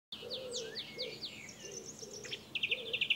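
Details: Adult song thrush singing in France, with a juvenile present: quick series of sharp, high, slurred notes, then a phrase of bright chirps repeated several times, over a soft low warbling sound in the background.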